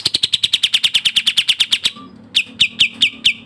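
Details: Sooty-headed bulbul, a training recording of the dense, rapid 'speed rapat' style with varied notes: a fast run of about nineteen sharp, high, down-slurred chirps in under two seconds, a short gap, then slower chirps spaced roughly a quarter second apart over a faint low hum.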